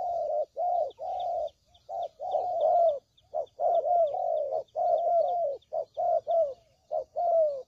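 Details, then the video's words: Trapping lure of spotted dove calls: dense, overlapping runs of low mellow coos, many short notes packed closely with a few longer drawn-out ones, plus faint high chirps in the background. "Suara Pikat Burung Tekukur Paling JITU"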